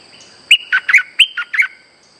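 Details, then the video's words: Trapping lure song of a streak-eared bulbul, a rapid string of about six liquid, warbling chirps lasting just over a second, with a thin continuous high tone behind. "Suara pikat merbah lekir gacor"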